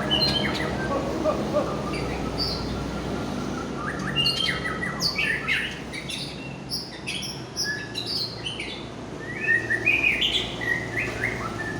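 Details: White-rumped shama of the Aceh type, a fighter bird in strong form, delivering a long varied song of sliding whistles, sharp chirps, harsh squawk-like notes and rapid bursts, loud and irregular, with a low hum beneath.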